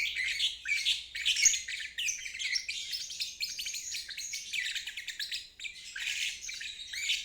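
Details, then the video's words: A lovebird in continuous ngeriwik, the drawn-out chattering trill recommended for stuck or young birds learning to sing, rough and buzzy with rapid pulsing, barely pausing over seven seconds, otherwise quiet. "Terapi Lovebird ngeriwik"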